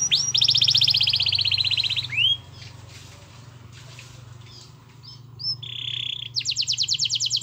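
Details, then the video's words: Domestic canary singing in a lively chattering style, used to prompt a reluctant canary to start singing: fast buzzy high rolls and a rising whistled note, then a brief pause and a short bright whistle before another rapid pulsed trill. "Suara Kenari Gacor Yang Malas Awas Nyaut || Pancingan Kenari Malas Bunyi"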